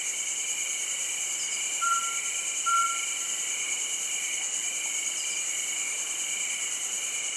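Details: Mountain scops owl recorded in Lansdowne, Uttarakhand: two short, level whistled notes about a second apart, standing out against an unbroken background of buzzing crickets.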